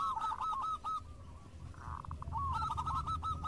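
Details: In lively song and answering each other, local zebra doves give rapid, hooked cooing notes in a quick series. A brief lull with soft murmured notes follows before the fast repeated series resumes over low background noise.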